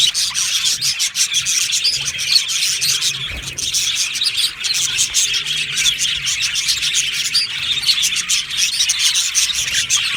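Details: Budgie parrots in an Australian budgie colony aviary produce a long, busy chorus of sharp chirps and rapid twittering, overlapping calls from many birds sustained throughout.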